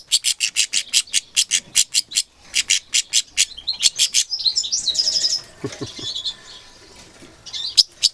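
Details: Cross-bred goldfinch mule, angry, recorded in 2011: a long steady run of loud clipped chips, then softer warbling twitter and a few low knocks.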